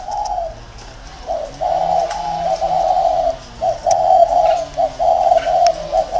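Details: Decoy spotted dove in a round cage in Vietnam, cooing in a run of low, rolling notes after a brief opening coo, over a faint hum.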